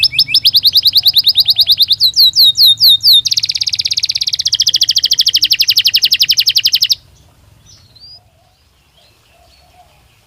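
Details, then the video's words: Belgian canary singing naturally, used to train other canaries to sing: fast repeated rising whistled notes, then a dense rapid trill of high buzzy notes, ending abruptly in near silence. "Som de 1 Hora com Canario Belga Cantando Naturalmente"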